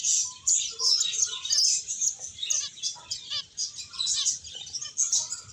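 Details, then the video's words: Finches playing and eating, many birds giving a busy, high-pitched chorus of short tweets and twitters that overlap continuously, with a few lower chips scattered through. "Cute Birds Chirping Sounds | Beautiful Finches Playing and Eating"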